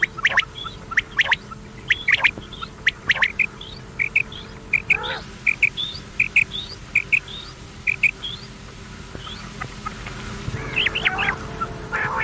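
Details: Common quail calls from an old cassette recording meant to be played through the night: short clipped notes repeated in quick groups, with sharp clicks and a few other rougher calls over a steady low hum.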